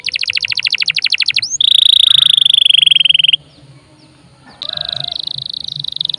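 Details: Energetic canary singing as a lure to set other birds singing: a fast high trill, then a long steady buzzing roll held for about two seconds, a brief pause, and another even rolling trill; faint low background hum.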